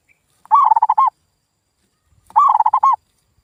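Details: Lure call of a zebra dove, meant to make a silent local dove reply and start singing again. Two short bursts of quick, stuttering, soft coos arrive about two seconds apart on a clean, quiet background.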